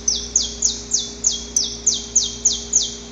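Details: Saffron finch male recorded in the wild, long harsh pre-dawn song while courting a female: a steady series of high, sharp down-slurred notes, about four per second, with a faint low hum in the background.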